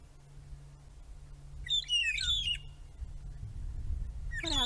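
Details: At sunset on 10 June 2017, in Djuma Game Reserve, one of three long-tailed Magpie Shrikes gives a burst of clear, fluty whistles sliding up and down, a sad, cry-like call, with a second call starting over a low rumble.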